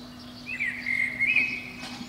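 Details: Eurasian blackbird singing at the top of a pine beneath a window on a spring morning, between five and seven o'clock; one clear, fluty warbled phrase of gliding whistles lasting about a second, over a steady low hum.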